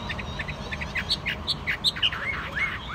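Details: Caged Chinese hwamei giving a quick string of short chirps and bright twittered notes, then several arching slurred whistles, over a steady background hiss.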